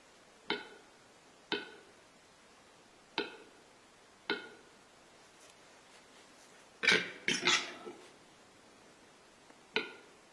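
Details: Single male western capercaillie giving spring nuptial song as the weather warms, which females do not yet answer: a slow series of sharp, hollow clicks about a second apart, then a quick rattling burst of pops and scraping notes and one final click.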